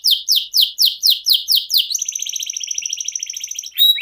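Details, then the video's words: Canary in 'ngerol' song: a string of steady descending chirps about four per second, then a long fast rattling trill and a final clear whistle. "NGEROL SEJALUR DURASI PANJANG..!"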